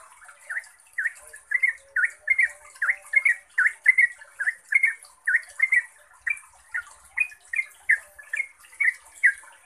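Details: Yellow-vented bulbul singing rapidly as a lure for other bulbuls: steady series of bubbly, down-slurred notes repeated about once per second, sometimes doubled, continuing throughout over a constant high hiss.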